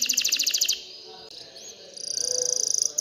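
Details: Canary singing to urge females toward mating and nest building; short burst of fast repeated high notes, a quiet gap with a faint slurred whistle, then another rapid high trill.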